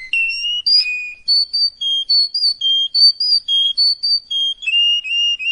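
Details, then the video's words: Canary tutor song for young canaries: pure, high whistled notes, each held briefly with slight pitch shifts, repeated steadily with short gaps; no other sounds. "Тирайник пени для маладой канарейка"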